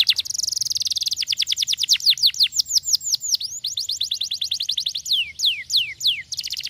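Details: Canary described as lazy sings a fast buzzy roll, then rapid rows of falling whistles, some deep arching sweeps, and a few slower drawn-out downward notes before another brief roll.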